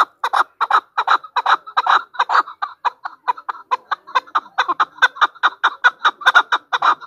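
Chukar partridge giving a long run of harsh, clucking chuck notes, about two or three a second, in an uneven rhythm.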